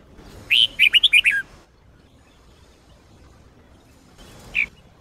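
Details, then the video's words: A Sông Kôn-style red-whiskered bulbul sings hard, for use in daily training: one rapid phrase of six or so clear whistled notes, then a long pause and a single brief whistled note. "chào mào SÔNG KÔN hót cực hay"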